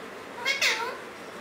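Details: Caged male and female Alexandrine parakeet pair indoors; two short harmonic calls close together, the second drawn out with a falling, bending tail, over a quiet room hiss.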